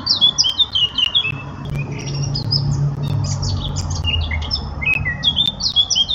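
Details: Eurasian blackcap singing a fast, varied warble of rising and falling whistled notes, phrases tumbling continuously for six seconds, with a low background hum.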